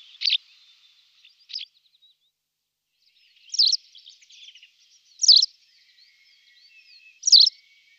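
A white wagtail gives sharp, high, two-note chirps every second or two, with soft twittering between the calls.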